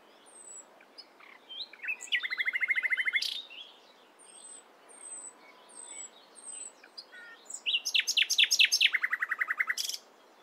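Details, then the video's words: Nightingale singing in the morning: varied phrases including a fast run of repeated rich notes around two seconds and a longer, louder burst of rapid repeated notes near the end, with thin high descending whistles between phrases. "Nightingale Singing In The Morning"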